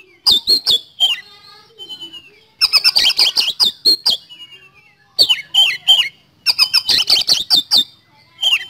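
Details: Kacer (Oriental magpie-robin) singing continuously as a lure in speed-roll style: repeated volleys of rapid, harsh ticking and scratchy notes mixed with falling whistles, separated by short softer twittering spells.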